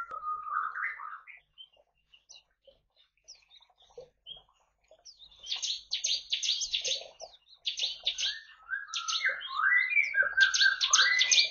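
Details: Bar-winged prinia singing freely in a colony aviary in East Kalimantan, Indonesia, kept with white-eyes and finches; a rising slurred phrase opens, then bursts of sharp high chattering notes repeat rapidly over the last six seconds.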